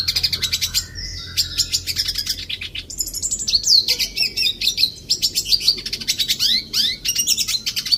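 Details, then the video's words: Red siskin in an aviary giving a fast, dense twittering song of high chirps, trills and short buzzy notes in rapid bursts, with a low background hum. "Red Siskin Mewah"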